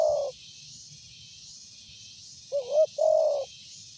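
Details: Spotted dove with a strong voice, recommended as a lure, ending a hoot then delivering a full coo: two quick rising-falling notes and a longer steady hoot, amid a pulsing insect drone.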